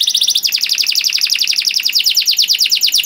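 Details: High canary song meant as a training model for young birds, a dense rapid run of downward-sweeping notes repeated about twice per second-fraction, continuous and bright.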